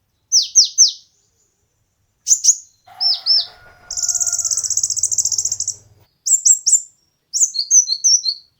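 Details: Kolibri ninja (konin) song recorded as training material for competition birds: sharp downslurred high notes and chips, a two-second buzzy trill, then rising and falling twitters, with a faint lower whistle at one point.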